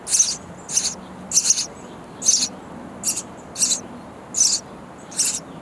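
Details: Baby sparrows in a bird house nest chirping loudly for food from busy parents; about nine sharp, high, hissing chirp bursts, some in quick pairs, separated by short pauses, over low hum.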